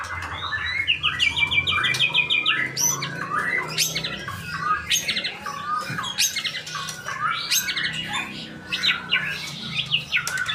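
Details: Male white-rumped shama from Indonesia with harsh, buzzy chattering phrases, a short run of rapid repeated notes and scattered sharp clicks, over a faint low hum.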